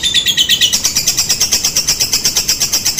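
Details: Lovebird lure call used to prompt lovebirds to answer: rapid harsh chattering notes repeated about three times a second, high and buzzy, steady throughout.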